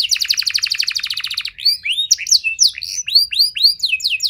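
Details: Canary lure song meant to get other canaries singing: an opening rapid buzzy trill lasting over a second, then a lively string of varied swooping whistled notes.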